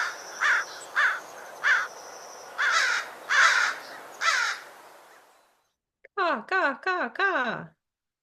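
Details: American crow in a Sonoma County backyard giving six harsh, hoarse caws roughly a second apart, then after a brief pause a quicker run of four ringing caws.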